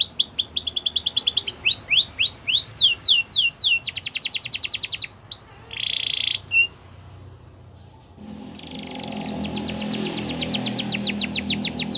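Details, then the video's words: Belgian canary song with sweeping whistles and a fast rattling trill, broken midway by a buzzy burst and a near-silent gap, then a second rapid trill over low background rumble. "Do This And Your Canaries Will Never Stop Singing | Belgian Canary"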